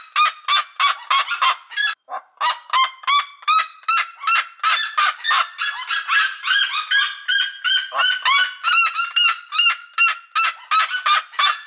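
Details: A seriema, a large terrestrial bird, gives loud, harmonic yelping notes, about three a second, in a long run that turns higher and more frantic toward the end.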